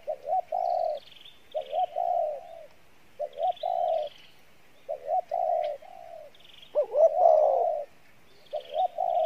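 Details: Spotted dove kept as a decoy, singing the Pha Bài Lối style of coo. It gives about six low hollow phrases of two quick notes and a drawn-out coo, with one louder, wavering coo near the end.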